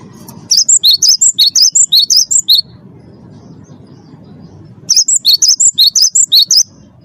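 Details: Champion Cinereous tit of the wingko type in full song, used as a lure to get other birds singing. Two bursts of about ten rapid, high, sharp whistled notes, each burst lasting about two seconds, separated by a low background rumble.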